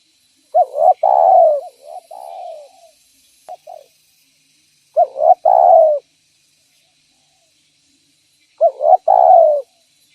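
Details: Spotted dove, a lure bird for catching others of its kind, repeats a cooing phrase about every four seconds. Each phrase is a brief double stutter followed by a full, slightly descending coo, with clean quiet between.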